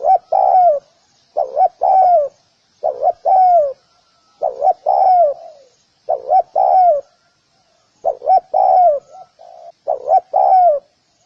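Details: Spotted dove repeating its cooing phrase steadily, about every one and a half seconds: a quick two-part coo followed by a longer falling note, mellow and low, with a faint high whine.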